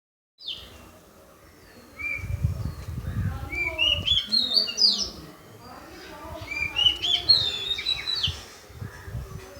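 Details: Unidentified bird recorded in Paripally Meenambalam, Kerala, its tone likened to cinema songs; clear whistled phrases that climb stepwise and repeat in bursts, over low rumbling background noise.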